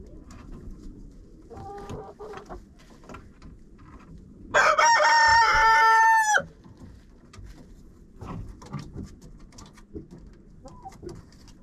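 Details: Chickens in a friend's coop, GoPro recording: soft hen calls and clucks, then a loud, harsh rooster crow of almost two seconds, followed by more quiet clucking and rustling.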